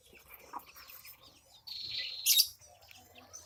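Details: Javan myna, angry while watched as it bathes, lets out one loud, grating, buzzy call lasting almost a second. Softer chirps and faint rustling come before it.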